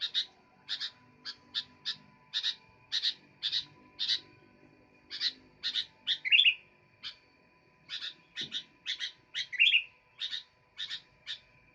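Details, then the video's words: Incessant song of a sooty-headed bulbul: a long series of short sharp chips, some single, some paired, with two bubbling rising flourishes near the end and a faint steady hum throughout. "Burung kutilang gacor"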